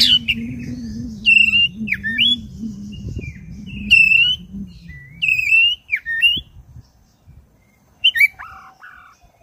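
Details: A black-breasted oriental magpie-robin, recorded as a lure, gives loud, varied phrases of clear whistles and harsh chattering notes every second or two, over a low steady hum.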